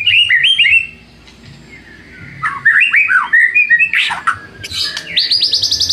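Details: Lure recording of a white-rumped shama singing to stir up rivals: clear fluting whistles and quick slurred notes, a one-second pause, then bursts of rising and falling phrases ending in a fast high trill.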